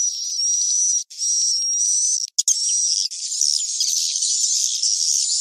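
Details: Swiftlet sleeping call used to attract birds to farmed nesting houses, cave-crossing style: shrill, unbroken twittering with a thin whistled line, turning to a busier, rougher chatter in the second half.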